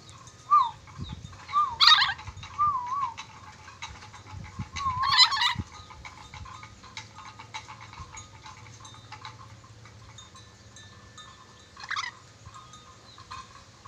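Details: Red-breasted parakeet from Sulawesi, a skilled whistler with many whistles, giving a run of wavering, warbled whistled phrases, then louder harsh bursts near two and five seconds and a short whistle near twelve seconds, over quiet low hum.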